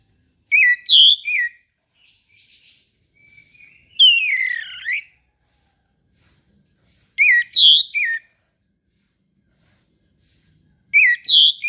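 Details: Orange-headed thrush in morning song, delivering short bursts of rich whistled and slurred notes every few seconds, some phrases tumbling downward, separated by soft faint twitters and near silence.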